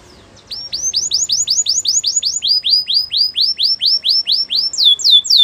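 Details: Belgian canary singing: after a brief quiet start, a steady series of bright, downslurred whistled notes, about four per second, shifts to a slightly lower run and ends on higher, sharper sweeping notes.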